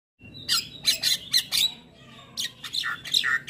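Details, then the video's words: Black-winged myna song from a training recording meant to be played each morning to get mynas singing: harsh broadband squawks and chattering notes in bursts, with a few thin whistled tones between them. "Masteran Burung Jalak Kebo Wajib Putar Setiap Pagi Bikin Jalak Cepat gacor"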